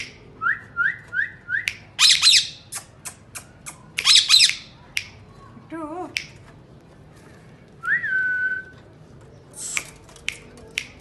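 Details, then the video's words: Pet rose-ringed parakeet talking in Urdu indoors: a row of short rising whistled notes, then harsh broadband screeches, a wavering warbled phrase and a longer rising whistle, with further scratchy calls. "ringnaeck parrots speaking in urdu good Talking"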